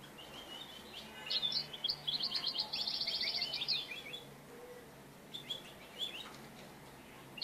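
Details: European goldfinch singing while being trapped with a clap-net; a rapid, jangling run of high twittering notes lasting about three seconds, then a few scattered chirps over steady low hum.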